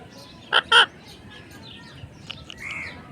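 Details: Pet parrot calling in its natural voice: two loud, harsh, rasping squawks in quick succession, followed by a few faint softer notes and a drawn-out low call near the end.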